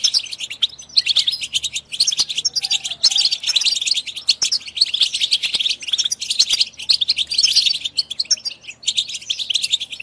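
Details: European goldfinch song used to stimulate singing and mating in goldfinches: thick, continuous high twittering chorus with jingling notes and brief breaks, several birds seemingly singing together.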